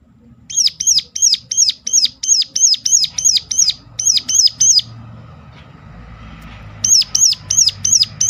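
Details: Sharp lure call of a Sunda warbler, meant to prompt other birds into song: a long run of quick, high, downward-hooked notes, a gap of near silence, then the series resumes.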